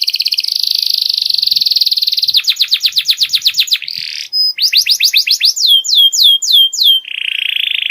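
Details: Canary song for teaching juvenile canaries: a long rapid pulsing trill, then a quick train of sharp descending notes and slower downward sweeps. It closes with a low buzzy trill. The recording is clean.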